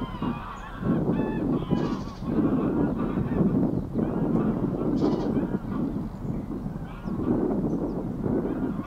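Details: Greylag Goose mother out for a swim with goslings at Getterön, 20 April 2022; several short, nasal honking notes stand out against a loud, rushing low background of wind or water.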